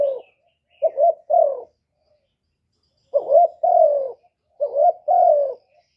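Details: Soft, hollow cooing from a spotted dove in three two-note bursts, each a quick upslurred note and a longer descending coo. A long silent gap separates the first burst from the next.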